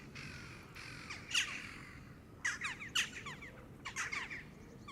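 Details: Canada geese in a flock feeding at the water's edge on green grass, calling close by: harsh, loud honks in a burst of about six, several overlapping near the end, over a low rumbling background.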